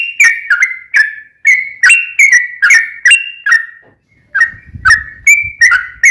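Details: Sooty-headed bulbul in lively song, used as a lure to make caged birds answer: clear, warbling whistled phrases that step up and down, slowing briefly before a final run, with faint low rumbling near the end.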